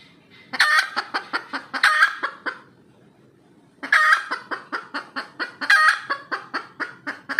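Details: Red junglefowl hen calling after laying an egg: two bouts of loud cackling, each opening with a drawn-out harsh squawk followed by a rapid run of short clucks, separated by a pause of about a second.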